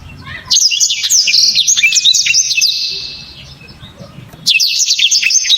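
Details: Black-throated canary with a strong, clear, tightly packed song: a long run of quick high chirps tapering into a thin buzzy trill, a quiet spell, then a new loud burst.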